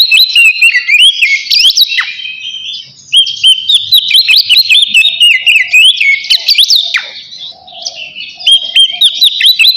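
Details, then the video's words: Oriental magpie-robin singing ngeplong style to call a rival, used to prompt other birds to sing. Rich whistled phrases with quick trills and sharp downward notes repeat in bursts, separated by two brief softer dips. "suara kacer ngeplong manggil lawan"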